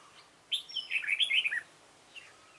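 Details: A red-whiskered bulbul of the dark-bibbed kind gives one clear, tumbling phrase of about a second during decoy trapping on 28 February 2017. The fast, liquid notes rise and fall, followed by a faint answering chirp.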